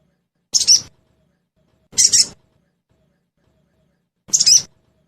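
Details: Lure recording of a sogon, played so caged sogon birds answer and sing: three short, rasping high bursts, each slightly double-pulsed, spaced about 1.5 to 2 seconds apart, with silence between.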